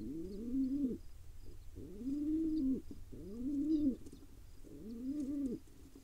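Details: Feeding time for a tiny wild pigeon chick and its father in Israel. Four arched, whining begging calls come roughly every 1.3 seconds, each about a second long.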